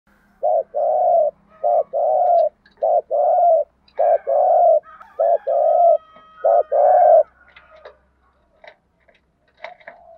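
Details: Spotted dove giving an urging, driving coo in a deep tone: a series of low, hollow, rounded coos in paired groupings, followed by faint higher bird calls.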